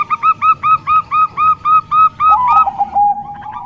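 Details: Zebra dove, a local female whose call lures males: about ten crisp ringing coo notes at a fast steady beat, ending in a lower drawn-out wavering note.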